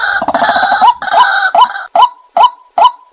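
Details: White-breasted waterhen lure call: a harsh, croaking opening, then a series of short, loud 'kwak' notes repeated about every 0.4 seconds.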